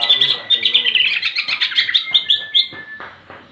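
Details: Greater green leafbird giving a full fighting song in ngentrok jenggrik style, meant to provoke other leafbirds; a dense, rapid run of high chattering and trilled notes, pulsing several times per second, fading near the end.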